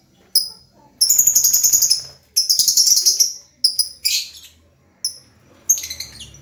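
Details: Lovebird chattering in bursts of rapid, piercing chirps lasting about a second each, separated by pauses and a few isolated single notes.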